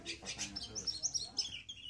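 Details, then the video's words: Oriental magpie-robin insistently looking for an opponent, giving sharp high chirps and short bright whistled notes in an uneven rapid series, with faint voices in the background. "Kacer ngotot cari lawan"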